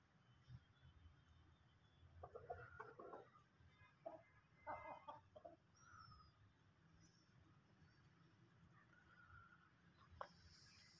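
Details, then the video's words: Domestic desi chickens at a home, giving a loose series of gruff clucks clustered early, then quieter scattered notes with a steady low rumble and faint thin bird chirps behind. "Desi Murgeya"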